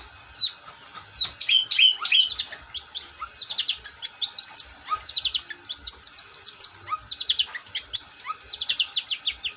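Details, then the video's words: Long-tailed shrike in vigorous song: near-continuous, rapid trains of high, clipped chirps and squeaky notes, several per second, with occasional lower soft notes underneath. "Burung cendet gacor"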